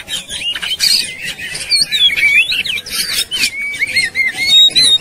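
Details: Worked-up Oriental magpie-robin in fighting mode, tail opened: after harsh scratchy notes come clear looping whistled phrases, then a series of smooth, falling slurred whistles spaced out near the end.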